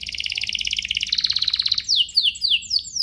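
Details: Singing canary, played to excite other canaries into song: a fast two-toned rolled trill that climbs slightly, then a string of sharp falling sweeps.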